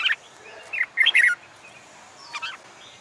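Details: Red-whiskered bulbul song played to train birds for song contests and coax new birds to sing: short broken fragments of warbled, slurred whistles with brief gaps between them.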